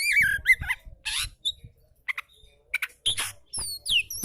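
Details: Oriental magpie-robin singing in a relaxed style, used to prompt magpie-robins that are reluctant to sing; bursts of varied whistles, squeaky rising and falling notes and harsh chirps come in short phrases with brief pauses between them.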